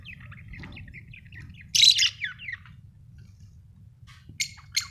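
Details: Budgie chirping: soft warbled chatter of short notes, then a louder harsh chirp burst and two brief sharp calls near the end, over a faint low hum.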